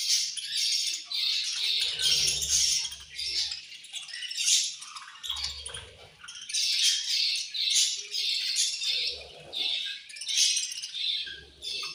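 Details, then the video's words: Budgerigars squabbling with angry chirps while eating, steady run of rasping, scratchy high calls in pulses every second or so, with occasional low knocks from the cage or food. "Budgies Eating And Angry Chirping Sounds"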